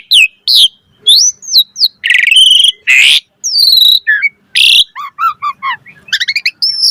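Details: Varied 'mompa' chatter from an Asian pied starling: looping whistled phrases, harsh buzzy bursts, upslurred whistles, a scratchy noisy note, then a rapid series of short stacked chirps closing in a quick ticking run.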